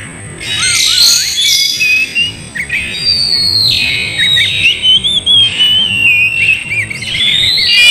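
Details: Oriental magpie-robin song, slowed, used as a lure to make a lazy bird sing and fight: wavering whistled trills and long sliding notes, rising at the end, with overlapping phrases and a steady high tone behind.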